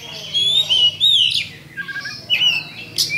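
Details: Champion Oriental magpie-robin (kacer) giving a lure song meant to provoke rivals to fight: clear whistled phrases sliding between high notes, with harsh rising notes and brief pauses, over a faint low hum.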